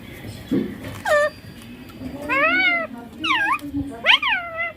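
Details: Baby ringneck parrot talking, saying "papa" and "mummy" in clear Hindi: a few short, nasal, harmonic syllables with bending pitch, some rising then falling, spaced about a second apart over a quiet indoor background.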